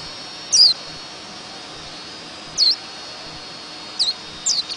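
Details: White-eye sound in the ngerol ngalas style: four thin, very high chirps, each sliding quickly downward, spaced one to two seconds apart, over a steady hiss.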